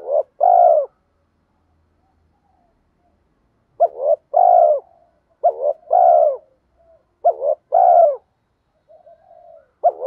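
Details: Repeated cooing of a spotted dove, played to rouse wild doves. Low mellow double-noted phrases: a quick broken note, then a longer hoot, coming in bursts about every one and a half seconds after a pause.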